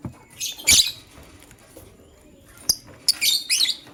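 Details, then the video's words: Lovebird, a male choosing a partner, in the morning: two harsh, high-pitched chirp bursts, the first near the start and a rapid double-and-triple series near the end, with a single sharp click between. "LoveBird Chirping Sounds - Male LoveBird Choose a Partner"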